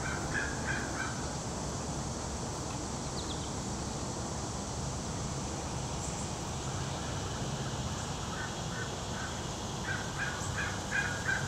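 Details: A fish crow (Corvus ossifragus) at feeders at Eagle Creek, eating corn, gives short, nasal calls in quick runs of several notes, at the start and again near the end, over a steady low rumble.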